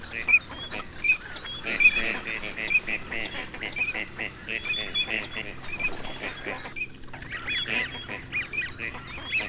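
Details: A flock of wild Gadwall, recorded as a duck hunting sound, gives a dense, overlapping chorus of nasal, reedy quacks and honks, more than one call each second, with no clear pauses.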